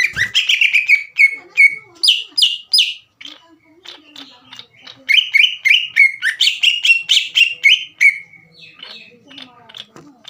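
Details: Green leafbird (cucak ijo) gacor singing, played to provoke rival birds: bright slurred whistles in fast bursts, a brief lull with soft low notes, then a long stream of rapid repeated chirped phrases.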